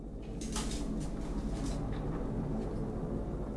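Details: A low indoor rumble with several short rustling or sliding bursts in the first two seconds.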